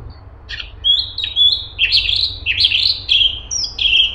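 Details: Straw-headed bulbul (cungkok) singing densely and continuously: a run of short slurred whistled notes, each bending up then down, linked into a rapid warbling phrase of about nine notes over four seconds, with a faint low hum beneath.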